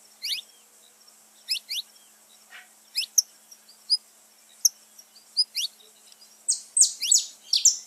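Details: Saffron finch song played to rouse pet birds: spaced, sharp paired chirps about once a second, then a louder run of buzzy downslurred notes at the close.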